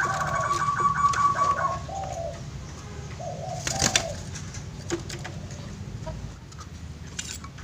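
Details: Zebra dove, caught by the roadside and still skittish, gives a few low, soft rolling coos in short groups, then falls quiet, over a constant low hum with scattered knocks.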